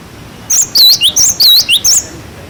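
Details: Cinereous tit song used as tutoring material for young birds: a short phrase of about seven piercing whistled notes with swooping slurs, given rapidly over roughly one and a half seconds.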